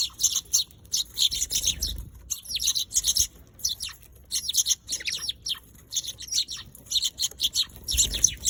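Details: Eurasian tree sparrows chirping almost continuously, clusters of quick shrill notes with short breaks and soft low bumps.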